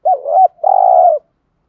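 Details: Spotted dove decoy singing the 'thúc gù' urging coo in 'giọng thổ' style: a wavering low double note slides into a held, gently vibrating coo, ending cleanly in quiet.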